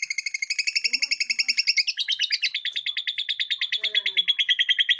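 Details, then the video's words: Lovebird gripping cage bars delivers ngekek chatter, a continuous, fast series of harsh clipped notes about three per second, steady and unbroken for five seconds, with faint low background noises. "Burung Lovebird Gaya Ngekek Nempel Jeruji"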